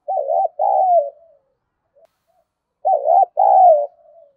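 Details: A spotted dove gives two loud provocative coo phrases about three seconds apart, aimed at rousing wild doves to fight. Each phrase is a wavering double note and then a long, gently descending coo.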